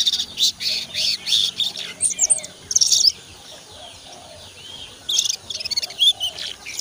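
A young sogon practises its song in high, thin chirps and twittering bursts, broken by short pauses, with faint rustling in the background.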